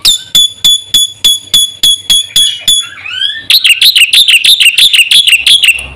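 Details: Caged-bird lure and tutor recording of a Black-winged myna. A steady row of clear, sharp whistled notes is followed by a short slurred glide, then a quick run of hooked, ringing notes.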